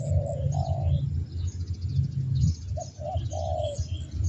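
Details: Spotted dove, a lure bird, with the 'suara petir' (thunder voice) style and a dragged ending; two long mellow coos, a pause, then two short clipped coos and a drawn-out final coo, over a low rumbling hum and faint distant birds.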